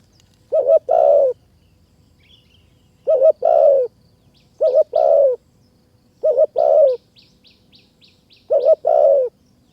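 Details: Spotted dove song recorded while trapping with a caged decoy bird in high mountain forest, Kanchanaburi, Thailand; five phrases, each a quick double note followed by a long falling coo, repeated every two to three seconds over a quiet background.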